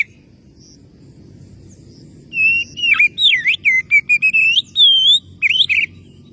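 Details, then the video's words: Oriental magpie-robin calling a rival, with a phrase of about a dozen varied whistles, wavering, dipping and rising, including one long steady note near the end, over a quiet low background. "suara burung Kacer memanggil lawan pasti langsung nyaut"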